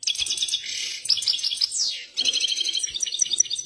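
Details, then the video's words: An excited European goldfinch sings a fast, tinkling run of high liquid twitters and trills, with a downward-sliding buzzy note in the middle. "طائر الحسون هائج"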